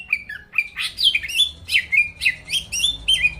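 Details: Greater green leafbird song played to make rival birds sing quickly: a rapid run of bright slurred whistles, rising and falling, each note repeated about three times per second.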